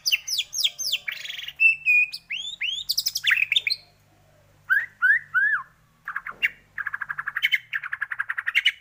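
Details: White-rumped shama singing in a lure recording meant to coax shamas into song. Varied whistled sweeps and trills are broken by a pause, then lower slurred notes and a rapid buzzy trill at the end.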